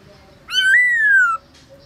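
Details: Single long whistle from a black-throated laughingthrush in midday training song, forest-style voice: it rises quickly, then glides slowly downward for nearly a second, rich and ringing.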